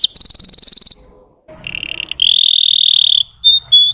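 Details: Russian canary singing to provoke untrained canaries: a quick pulsed high trill, a short pause, broad buzzy rolls, then clear pure whistles.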